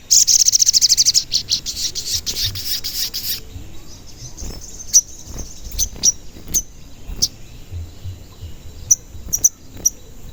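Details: Sogon, or crimson sunbird, in a lure recording meant to provoke other birds to call. It opens with a rapid high trill of about three seconds, followed by scattered thin, piercing cuit chips at uneven intervals.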